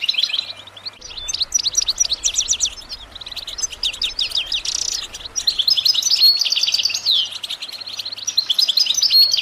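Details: Continuous European goldfinch song, presented as motivation to make goldfinches sing nonstop: bright, rapid, jingling twitters and buzzy trills that grow louder toward the end, with a soft low rumble in the background.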